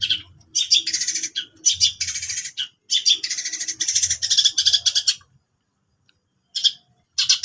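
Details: Long-tailed shrike singing: long bursts of harsh, scratchy, high chattering notes with mimicked-sounding squeaks, broken by short pauses and a few seconds of silence, with faint low background noise.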